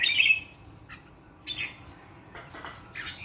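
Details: Morning birdsong from a single bird with a clean wild-forest voice: a loud bright burst at the start, then short sparse chirps and slurred notes at moderate pitch, separated by quiet pauses.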